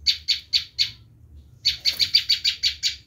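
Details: Bar-winged prinia screaming call for attracting wild birds: four spaced harsh chips, a short silence, then a quicker string of loud buzzy notes.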